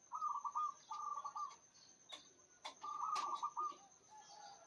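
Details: A local zebra dove, described as loud with a big, long voice, gives soft, rolling cooing phrases around one kilohertz, each about half a second, in quick bursts; clicks and a steady high whine in the background.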